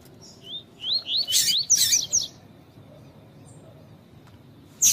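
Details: Double-collared seedeater in 'tui tui' style song for training and stimulating males, with female calls: rapid rising slurred notes run together with harsh noisy bursts, then a pause and one loud high chip.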